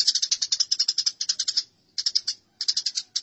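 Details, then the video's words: Tree sparrows in a fight give fast, scratchy chirps, about eight per second, in chattering runs broken by two brief pauses. "Masteran Gereja Tarung"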